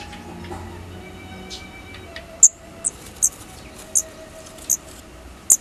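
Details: Daurian redstart fledglings leaving the nest for the first time: after low background hum, six short, very high, thin squeaky notes come at irregular intervals, roughly one per second.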